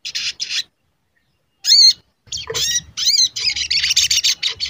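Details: Crimson sunbird (sogon), a lure recording meant to provoke singing: short buzzy bursts, a silent second, a loud bending 'cuit' note, then a stream of stacked high chirps and scratchy chatter.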